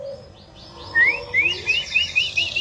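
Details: Caged male canary, a Yorkshire x BB cross, delivers a quick series of six bright upward-slurred whistled notes, evenly repeated about every quarter second after a soft, fainter opening.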